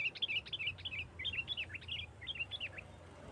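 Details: Sooty-headed bulbul singing to draw out rival bulbuls: rapid, repeated short whistled phrases with rising and falling notes, fairly soft against background hiss and low rumble.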